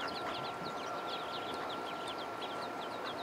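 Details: Many ducklings on a pond peep constantly, short high notes that slide downward and tumble over one another, set against a loud even background hiss.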